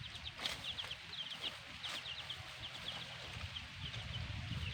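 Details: Chicks of a black hen keep up rapid, high, downward peeps against a broad hiss and low rumble.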